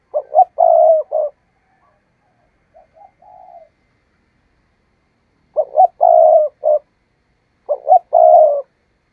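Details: Trapping lure spotted dove cooing persistently: three loud phrases, each of quick staccato notes and a drawn-out coo, with one softer two-part coo between the first two.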